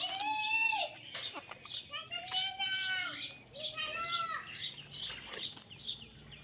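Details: Baby parrot, possibly an Indian ringneck, giving a series of squeaky, harmonic calls, some arching and falling, others short chirps, repeated in bursts over several seconds with faint background sound.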